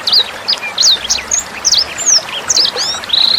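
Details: Sanger bird, recorded as a song tutor for young birds: a short burst of clear, high, down-slurred and up-slurred whistles given in quick succession, ending on a sustained buzzy note, over soft water trickle.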